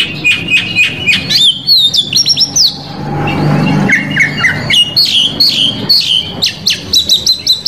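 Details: Oriental magpie-robin from Indonesia, singing to provoke rival males with rich filler phrases: rapid repeated high whistles, then a brief noisy pause, then a series of clear descending whistled notes and quick chattering slurs.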